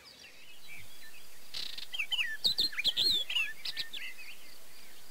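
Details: From Erdőhorváti in Hungary's Tokaj area, May 2013, on a Canon EOS 7D: a Barred warbler's fast, grating warble of clicks, rattles and slurred whistles, lasting around three seconds against quiet background.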